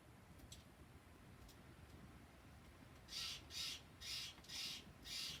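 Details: Steller's jays giving their morning call for peanuts after a very windy night: five harsh, raspy shrieks repeated about every half second over steady low rumbling background noise.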